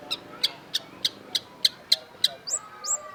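A long-tailed shrike gives eight sharp, ticking notes about three per second, then ends with two high, slurred whistles over a faint low hum.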